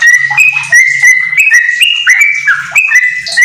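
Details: Yellow-vented bulbul giving rapid ropel song laced with magpie-robin imitation, a training master for house bulbuls: clear whistled notes stepping up and down at a brisk pace, over a low humming background.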